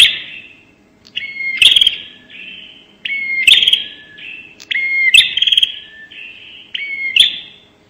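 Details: Bar-winged prinia giving the 'nembak' call, used as a lure: about four buzzy phrases with rising whistles and crisp snapping clicks, each roughly every one to two seconds.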